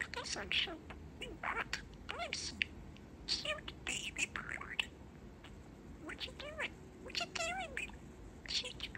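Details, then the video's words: Pet male budgerigar, a young talking parakeet, chats in quick clusters of scratchy, clicking notes and brief wavering, speech-like warbles, with short pauses between phrases in a quiet indoor setting. "Talking Parakeet"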